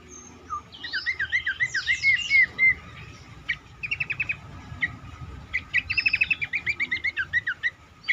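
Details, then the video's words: Cingcoang, used as a lure to make other birds sing more: rapid chirpy phrases with looping whistled notes and fast repeated ticking trills, in quick bursts throughout. "burung cingcoang lain semakin gacor dan rajin berbunyi dengan pancingan ini"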